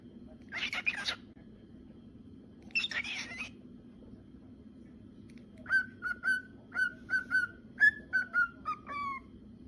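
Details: Male cockatiel song: two harsh, noisy squawks with long pauses between them, then a quick series of clear whistled notes, some level, some slurred downward, carrying on to the end.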